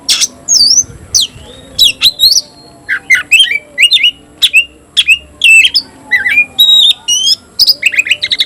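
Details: Caged oriental magpie-robin singing in the 'tayoraky' style, described as a persistent singer that fans its tail. Loud varied phrases of high whistles, harsh squeaks and swooping slurs come one after another.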